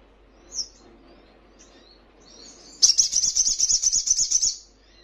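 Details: Crimson sunbird (sogon) for training caged birds to respond: a faint high note, then a fast even trill of about a dozen bright metallic pulses over nearly two seconds.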